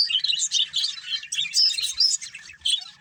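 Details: Breeding budgerigar pair chirping in quick bursts of high, buzzy twitters and short squeaky whistles, pulsing roughly every half second.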